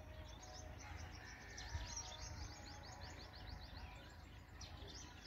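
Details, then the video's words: Black drongo chicks at feeding time: a long run of short, sharp, high chirps, many downslurred, tumbling one after another over a low background hum. "Black Drongo Feeding Chicks"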